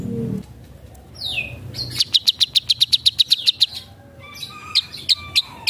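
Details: Long-tailed shrike, locally called cendet or pentet, in full song mixing in copied calls of other birds: a falling whistle, then a quick, even run of about fourteen sharp, piercing notes, a pause, and more scattered sharp notes over faint whistles.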